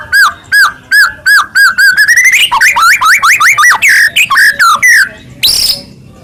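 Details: White-rumped shama song to provoke rival shamas into singing: evenly spaced whistled notes that quicken into a rapid run of rising and falling slurred whistles, ending in a harsh burst.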